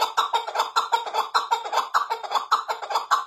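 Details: Chukar partridge giving a fast, rhythmic series of harsh chuck notes, about five per second, steady throughout.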